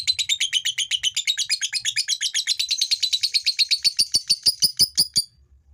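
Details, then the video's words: Male fighter lovebird in long ngekek chatter, used to rouse females into chattering: a rapid, dense run of shrill notes that later slows into separate sharp clicks and stops abruptly. "SUARA LOVEBIRD FIGHTER JANTAN NGEKEK"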